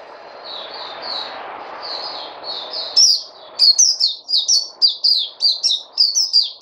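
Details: A white-eye (puteh), 29 August 2020, opens with soft, evenly spaced high twitters over a low hiss. After three seconds the song turns loud, with quick sharp downslurred chirps, about one and a half per second.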